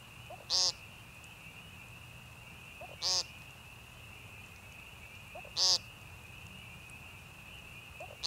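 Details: American woodcock (Scolopax minor), also called timberdoodle, giving short nasal buzzy peents about every 2.5 seconds over a steady high insect or frog drone; Young Conservation Area, northern Missouri Ozarks, March 28, 2015.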